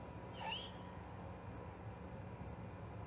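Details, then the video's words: Juvenile great horned owl at the Charlo osprey nest, 21 October 2020: a single brief raspy screech with a rising glide near the start, then only steady low hum and hiss. "This Juvie GHO is a Hoot!"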